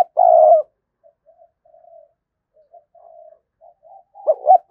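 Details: Spotted dove lure coo meant to provoke wild birds: a long loud throaty note at first, then softer short coos, ending with two quick louder notes.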